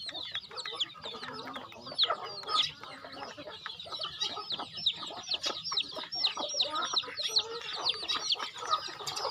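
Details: Feeding time for farm chickens: many birds calling together in rapid, high, downslurred chirps with clucks, steady throughout with a few louder bursts.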